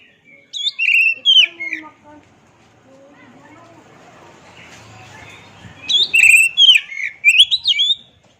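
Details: Tutor recording of oriental magpie-robin song for caged birds: a phrase of varied whistled notes, a quieter stretch of soft background noise, then another lively run of rising and falling whistles.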